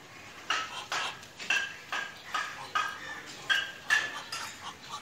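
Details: A domestic Muscovy duck greeting gives breathy, husky huffs in a quick uneven series, about two each second, with faint clatter in a small room.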